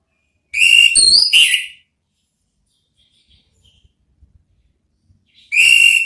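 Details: Orange-headed thrush singing ngeplong, a lure song to draw thrushes into replying: three bright whistled notes, the middle one higher, then quiet with faint ticks before another strong whistle starts.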